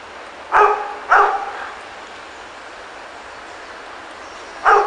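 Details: Pair of wild Panama amazons (Amazona ochrocephala panamensis), apparently in Panama, answering a person calling to them: three harsh, raspy squawks, two close together and then a third after a long pause, over steady background hiss.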